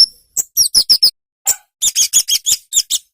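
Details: Kemade bird giving a sweet, high-pitched song: quick runs of thin, slurred squeaky chirps, some sliding downward, in two bursts separated by a short gap and a single lower note.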